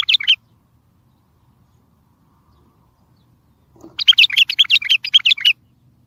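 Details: Bulbul song for trapping, meant to make other bulbuls answer: a short fragment at the start, then after a long pause a rich phrase of rapid, warbling chirps lasting about a second and a half.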